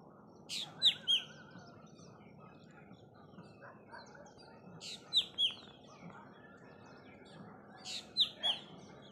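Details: Black drongo at Gatadwadi, Walwa, Sangli, Maharashtra, 19 February 2023, 7:45 am, giving short bursts of sharp, metallic notes with a falling whistle about every four seconds; faint chirps of other birds behind.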